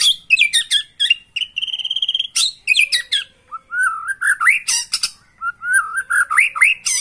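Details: White-rumped shama singing continuously as bait for a caged bird, meant to make it sing hard and unload its repertoire: rapid chips and buzzy notes, a steady trilled stretch, then rich rising and falling whistles mixed with sharp clicks throughout.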